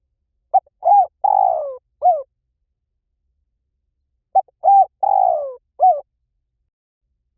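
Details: Spotted dove, recorded to lure wild doves, calls twice about three and a half seconds apart. Each phrase runs through quick soft notes, a full coo, a long falling rolling coo and a closing coo, with no other sounds.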